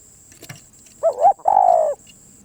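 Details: Spotted dove cooing: a faint tap, then a short wavering two-part coo followed by one longer, smooth, slightly falling coo. A steady thin high whine runs in the background.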